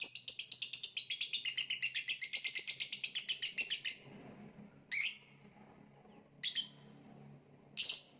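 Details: Lovebird singing a long, stuttering trill of rapid, repeated high chattering notes for about four seconds, followed by three short, sharp chirps spaced apart over faint background hum.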